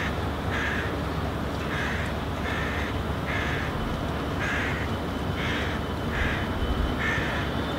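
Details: Young hooded crow on the ground calling toward its parent as the adult eats a couple of metres away; a run of about seven short, hoarse caws at steady intervals, slightly distant, with constant low-pitched background hum.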